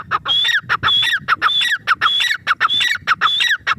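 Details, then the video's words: Grey francolin, or teetar, calling: loud rhythmic phrases, each a high whistled note followed by descending harsh notes, repeated about every half second without pause. "teetar birds call"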